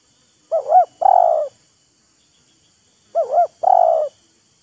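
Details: Spotted dove in a calling duel with a decoy bird, each showing off and taunting: the same phrase given twice about two and a half seconds apart, a paired bouncing coo then a long rolling coo.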